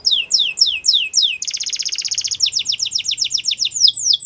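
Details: Canary song played to stimulate singing: repeated falling whistled notes, a dense rapid rattling trill, then quick downslurred notes about four per second.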